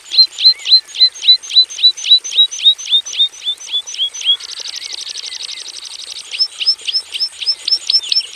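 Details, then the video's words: Javan bush lark singing in a simple aviary: a series of high slurred chirps, then a rapid mechanical buzzing trill lasting nearly two seconds, then chirps again. "KICAU SUARA BURUNG BRANJANGAN JAVANICA GACOR FULL ISIAN"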